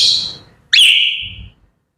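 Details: Grey parrot in the morning producing a loud whistle that sweeps up, then holds a long steady high tone before fading, preceded by a fading squawk.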